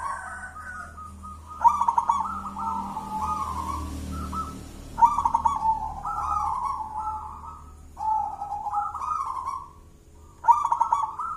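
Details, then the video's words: Local wild zebra dove singing a thick, deep jolotundo-style song meant for luring birds: repeated cooing phrases, each opening with a sharp accent then a rolling warble, four phrases spaced a few seconds apart over steady low rumble. "Suara perkutut lokal jolotundo tebel nembak mental badja,cocok buat pancingan"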